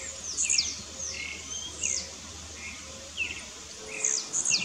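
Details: Rival blue-black grassquits disputing in the scrub give clipped, high, buzzy bursts with sliding sweeps, several in quick succession and a pair near the end. Lower twittering birds and a faint insect hum continue throughout.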